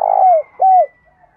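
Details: Spotted dove used as a decoy to provoke other doves into calling and fighting. A long, rough hollow coo falling at its end, then a shorter clear falling coo, with a faint thin high tone throughout.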